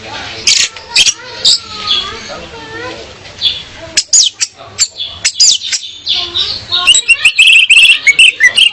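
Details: Song of a female orange-headed thrush, meant to lure a male into singing: muffled, noisy opening, then clear sharp chirps and quick whistled phrases, growing denser and louder toward the end.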